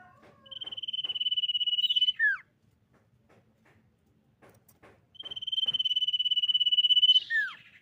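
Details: Female common iora song used to lure rival birds into singing: two long, even, buzzy trills about three seconds apart, each finished by a quick falling whistled note, with quiet gaps between.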